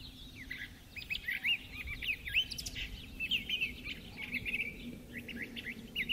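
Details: Thrasher in a neighborhood, singing up a storm at sunset: a continuous stream of varied, slurred and chattering phrases, short notes rising and falling in quick succession with brief pauses, over steady low ambient hum.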